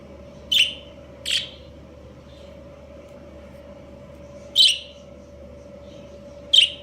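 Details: Australian parakeet breeding pair; budgerigars produce four brief, bright chirps, two close together at the start and two after a quiet gap, with a low steady hum underneath.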